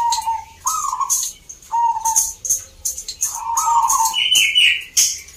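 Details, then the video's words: Caged zebra dove singing in a local contest in Salatiga, Central Java, Indonesia: short bursts of low rolling coos in quick succession, a higher twittering phrase near the end, sharp clicking noises throughout. "Perkutut gacor door"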